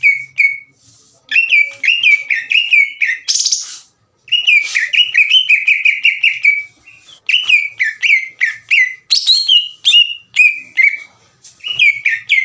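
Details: Green leafbird in long bouts of singing aimed at provoking rival birds: fast strings of whistled, slurred notes, sometimes mixed with buzzy bursts, in phrases broken by brief pauses.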